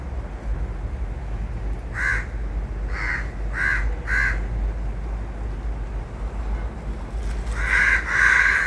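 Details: Crows cawing: four separate harsh caws spaced roughly half a second to a second apart, a pause, then a longer drawn-out raspy call at the end, with constant low rumbling noise behind.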